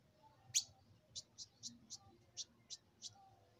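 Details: Maquina song of a saffron finch, heard a little distant: a loud opening chip, then about eight short high notes spaced a third of a second apart over a soft room hum.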